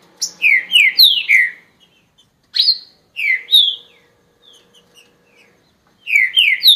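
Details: Green-winged saltator, an owned bird, singing loud, rich whistled phrases: a quick run of four downslurred notes, a pause, two more slurred whistles, a few soft quiet notes, then a fresh burst of descending whistles at the end.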